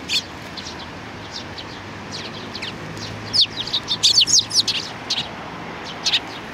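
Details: Several Eurasian tree sparrows including youngsters, 27 June 2019, give sparse high chirps that swell into a dense chattering burst of overlapping tweets midway, then thin out again.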